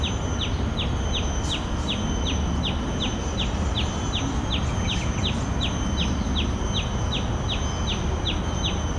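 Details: At Bidadari in Singapore, a common tailorbird repeats a piercing, downward-slurred note about every third of a second, a long unbroken string of some two dozen calls against continuous low-pitched background noise.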